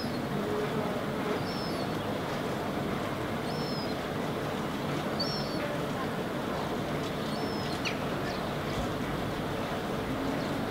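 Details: Herring gull fledgling standing on rock in Helsinki, Finland, August 2016, vocalizing while walking and watching around. Four faint, high, short whistled calls, each slightly downslurred, come at roughly two-second intervals above a constant deep rumble.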